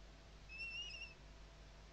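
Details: A western barn owl on a nest webcam at Riet Vell Nature Reserve, Ebro Delta, Tarragona, Spain, in the 2023 season gives a single hoarse, drawn-out screech under a second over a quiet hiss, as a camera reset and a kestrel scare the female.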